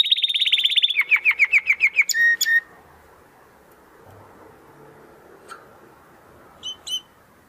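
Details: Domestic canary, crystal-voice song for tutoring competition birds: a dense high trill followed by slower downward notes and a short whistle, then mostly quiet background with two faint chirps.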